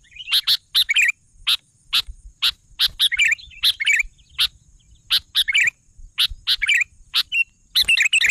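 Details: Sooty-headed bulbul in full song, alternating crisp clipped notes with brief liquid warbled phrases, repeated roughly every half second to second.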